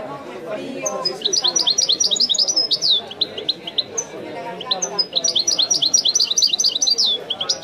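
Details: Two long, lively phrases of European goldfinch song in the authentic widani style, dense runs of high, crisp twittering notes and thin whistles, separated by a short gap, over a persistent low murmur.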